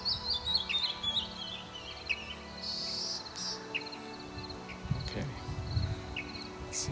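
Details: A canyon wren in spring 2023 in the Okanagan Valley, British Columbia, among boulders and scree slopes, gives sharp, high chirping call notes, clustered in the first seconds and then scattered, over steady rushing background noise.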